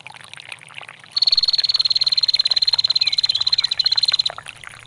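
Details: Female bar-winged prinia ngetir, played to teach songbirds: after a second of running water, one unbroken three-second trill of rapid, sharp, high-pitched ticks at an even pace.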